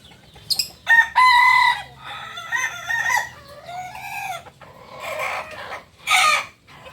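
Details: Kukuak Balenggek rooster, a native singing chicken breed from Solok, West Sumatra, Indonesia: a long, multi-part crow of several connected, wavering harmonic syllables over about six seconds, ending in a louder, rougher final burst.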